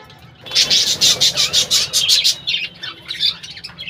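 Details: Budgerigar colony at its birdhouses, a loud fast string of grating, warbled chirps repeated about three times a second for nearly two seconds, trailing into softer scattered twitters.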